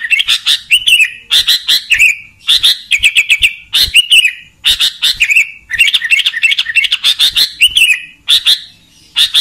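A sooty-headed bulbul sings loud, bright chattering phrases of quick bubbly notes, about one burst per second with brief pauses between.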